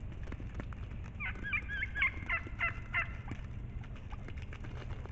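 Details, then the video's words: Turkeys in brush about 300 ft behind a house, near a field, a marshy area and an overgrown pine planting, give a roughly two-second burst of high, rapid gobbling yelps over a steady low rumble as food is brought. "In the land of turkeys"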